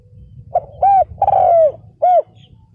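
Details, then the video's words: Spotted dove decoy calling to attract wild males, one phrase: a soft short note, a rounded coo, a long falling coo, and a final rounded coo, over faint low rumble. "CHIM CU GÁY MỒI ĐẤT KÍCH BỔI CỰC SUNG"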